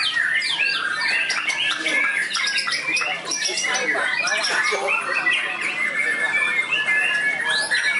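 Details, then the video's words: A white-rumped shama trained for contests and tested at the field gives a dense song full of imitated phrases: squawky rasps, sharp chips and brief whistles in a constant busy stream. "Murai Batu WARDANA Prospek Lapangan, Isian Mewah Super Istimewa"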